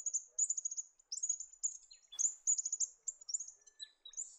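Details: An Australian pipit in the New England region of NSW, Australia, a grassland bird that dashes after insects, gives a run of very high, thin chirps and short twittering bursts in quick succession, with brief pauses between phrases.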